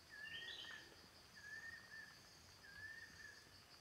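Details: Banded kingfisher (Lacedo pulchella) in forest giving a series of drawn-out, clear, mellow whistles, about one every 1.3 seconds, over a steady high insect drone.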